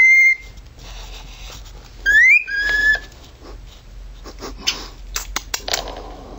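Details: A pet male cockatiel's siren impersonation: a brief level whistle, then a rising sweep followed by a lower held note, ending in a run of clicks and rustling.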